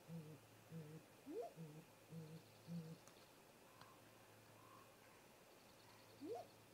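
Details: Great grey owl pair visiting their nest snag in late-afternoon daylight, 18:58 MDT, 13 April 2018: a slow series of six very deep, soft hoots, about two per second, with two brief rising whistled notes between. Finding: Great grey owl.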